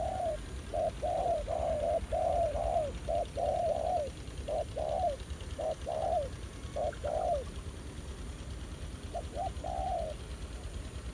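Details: Wild spotted dove, a newly met and fairly aggressive male, answering a ground decoy in open farmland: a rapid series of low hooting coos, short notes leading into longer ones, pausing near the end before a final brief phrase.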